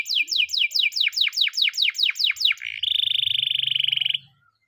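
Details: Morning training song of a canary: a run of rapid downward-sweeping notes, then a long steady buzzy trill held for over a second before stopping.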